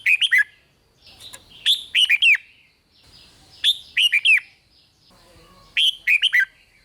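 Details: Rik-style song of a red-whiskered bulbul, sung to excite other bulbuls: three lively phrases of quick chirpy, slurred notes about two seconds apart, with soft thin notes between them.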